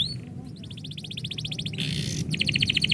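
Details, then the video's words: Canary song heard as its owner prepares to leave: high chirps, then a fast run of repeated short notes, a brief harsh buzzy burst, and rapid bright trilled notes to the end. "kenari bunyi ketika yang punya mau pergi"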